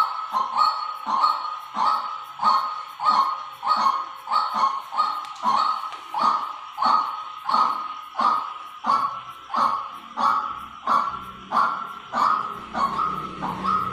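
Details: Twenty or so hoarse, clipped notes of a white-breasted waterhen decoy call in a fast, even series, roughly every two-thirds of a second, growing less regular toward the end as a low rumble comes in.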